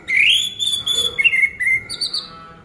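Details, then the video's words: Orange-headed thrush song meant to stir a silent caged bird into singing: a loud, varied run of clear whistled phrases, rising, falling and warbling, ending in a higher buzzy flourish. "Pancingan Anis Merah Macet Biar Bunyi Gacor dan Teler Lagi"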